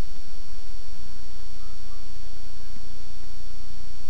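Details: Loud continuous hiss and electrical hum with low rumbling, and no animal sound.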